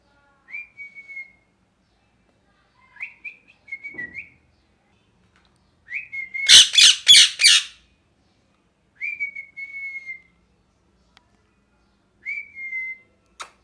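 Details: Parrot giving short, clear whistled notes, some rising and falling, spaced a few seconds apart, with a sudden burst of five loud, rasping squawks in the middle and a quiet background.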